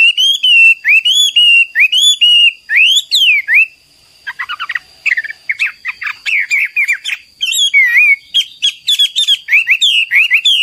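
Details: Chinese hwamei (Garrulax canorus) singing a persistent, energetic training song for other birds: loud, looping whistled phrases rising and falling, then a burst of rapid choppy notes and more bright whistles, with a steady high tone in the background.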